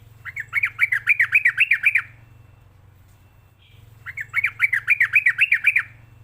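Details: Sooty-headed bulbul lure sound used to train and tutor young caged birds: two bursts of about eight quick, sharp, bouncing notes in fast rhythm, separated by roughly two seconds of quiet, with a low hum beneath.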